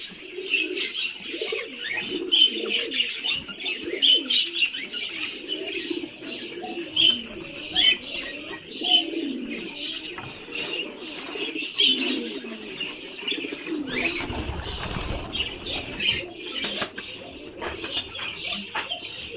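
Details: Four-month-old helmeted guineafowl chicks kept on a poultry farm in Assam form a dense, continuous chorus of overlapping high squeaky chirps, with a lower murmuring layer of calls underneath and intermittent rustling and handling noises.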